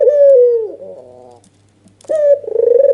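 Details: Red-eyed albino white dove calling hard while nodding, a lure to make a silent dove respond: a sustained coo sliding down into softer trailing notes, a pause, then a sharp rising note and a new pulsing coo.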